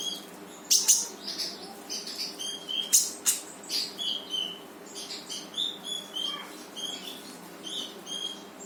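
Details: Brown-throated sunbird (konin) delivering full 'gacor tembakan' song to trigger a quiet bird to sing: a busy, continuous series of high, sharp chirps and brief whistled slurs, repeated rapidly with little pause.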